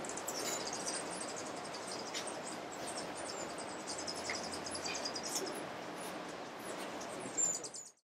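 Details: White-necked Jacobin in Alambi Cloud Forest Reserve, Ecuador, in May 2012, giving thin, very high squeaky notes in a quick irregular series, over a steady forest hiss with faint insect buzz.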